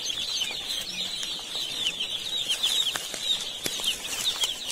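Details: Crowded baby chicks in an Indian poultry farm keep up a dense chorus of thin, high peeps while sharp clicks and brief scuffling noises break through repeatedly.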